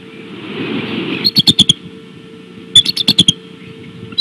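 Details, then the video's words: Bald eagles at the Decorah nest on 17 March 2016 at 18:15. Two bursts of high, thin chittering notes, each about five quick pips that fall slightly. A steady low electrical hum runs underneath. "Decorah Eagles Appels"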